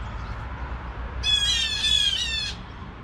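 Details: A single long, grating, nasal squawk lasting over a second, a blue jay alarm call given at 7 AM, with soft low rumble beneath.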